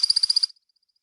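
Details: American Woodcock in aerial display: after wing twittering as it climbs until almost out of sight, a quick run of about seven high, liquid chirps in half a second, then faint notes fading as it flies higher.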